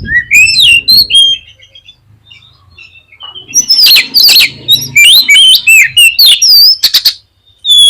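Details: Oriental magpie-robin song meant to trigger a fighting response: rising whistled notes give way to a dense, rapid stream of sharp chips, buzzy trills and high sweeping whistles. A faint low hum sits underneath.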